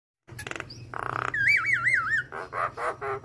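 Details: Javan myna (jalak kebo) singing actively with a full repertoire, used as a masteran training recording so that other mynas hearing it join in. Harsh buzzy bursts give way to a wavering warbled whistle, then rasping chattering notes over a steady low hum.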